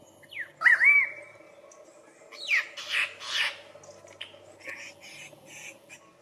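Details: A male Australian lyrebird, which mimics other birds as part of its courtship, gives a loud upslurred whistle, then a run of harsh, rasping squawks and chattering notes in quick bursts over a steady low hum.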